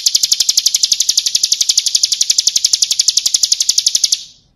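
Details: Bar-winged prinia, the ciblek kristal, singing a full song for training other caged birds: a fast, very even trill of bright high ticking notes lasting about four seconds, then stopping abruptly.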